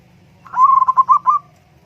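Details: A single trilled coo from a zebra dove (perkutut), a short bubbling run of quick soft pulses at steady mid pitch, lasting about one second against faint low background noise.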